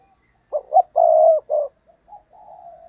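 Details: Cooing of a spotted dove kept as a lure for wild doves. After brief silence come two short hoots, a long steady coo and a clipped note, then quieter drawn-out cooing.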